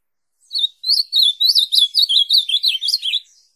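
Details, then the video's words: Ultramarine grosbeak (azulão) singing a fast, warbling phrase of about a dozen rising and falling whistled notes over roughly three seconds, on a quiet background. "Azulão Cantando"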